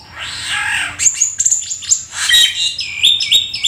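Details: Black-winged starling singing gacor with full isian: it opens on a rising and falling nasal wail, then moves to clipped high whistles, scratchy chatter and a closing series of repeated upward-swept notes.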